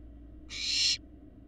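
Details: Barn owl fledglings, large and resembling their parents, at a nest on a live camera in Florida, hatched in early 2022: one harsh, breathy hissing screech lasting about half a second over a low steady hum.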